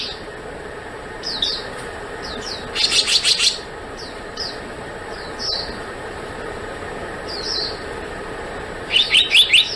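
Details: Two brief runs of high, rising notes from a black-naped monarch, separated by several seconds of soft, slurred chirps over a low, steady rumble.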